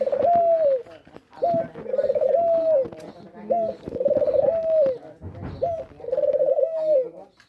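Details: Dove calling: a short coo note followed by a longer, wavering, trilled coo that falls away at the end, the phrase given four times in close succession with brief pauses, some light clicks in the background.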